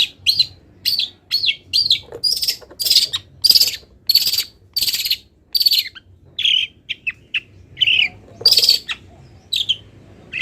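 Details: Long-tailed shrike in moult singing song laden with wild-bird imitations: a long, varied sequence of whistled and buzzy notes, some sliding, some scratchy, packed closely for over ten seconds.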